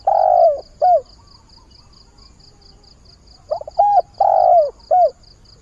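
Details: Spotted dove used as a decoy, cooing for a mate as the day begins; a long drawn coo followed by a short one, then a stuttered group of clipped coos, over a constant rhythmic high-pitched ticking.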